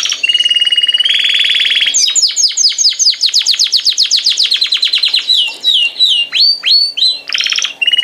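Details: Canary song opening with a sustained rattling buzz, then a long series of quick sweeping whistled notes that gradually slow into separate upswept whistles before a final buzzy trill; a low steady hum continues throughout.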